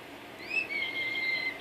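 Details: An Amazon parrot named Coco gives one drawn-out, high squeaky note lasting about a second, its copy of a kissing sound, said at night after being told good night. A faint background hiss is heard.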